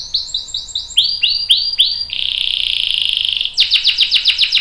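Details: Canary with a long rolling song, used as a master recording to train young and adult canaries: repeated downward-swept notes around four times a second, then a sustained buzzy trill, then fast repeated swept notes.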